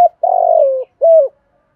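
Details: Spotted dove, 'giọng thổ' voice used to lure wild doves and train decoys, ending a phrase: a long buzzy, gently falling coo followed by one smooth, hollow closing coo.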